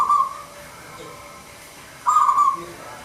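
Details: A local zebra dove sings in full voice, a recording meant to prompt lazy doves to call: soft whistled coos around one pitch, a brief trill at the start and another two seconds later, over faint hiss.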